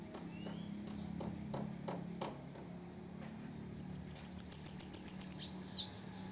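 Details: At sunset a female bananaquit delivers a high, hissing trill of quick repeated pulses that swells, then drops in a short descending slur, after a stretch of quieter ticking notes and low background hum.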